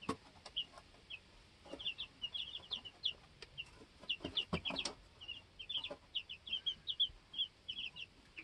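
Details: A group of two-week-old baby chickens on a homestead, hopping and sorting out pecking order; busy high peeping from several chicks throughout, mixed with sharp taps and scratching in the coop.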